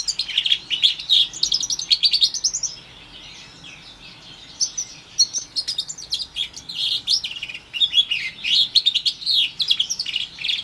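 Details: Roughly four-month-old orange/brown house finch x canary hybrid, from a Timbrado canary, delivering long bursts of rapid high chirps and trills, with a short pause near the middle before the warbling resumes.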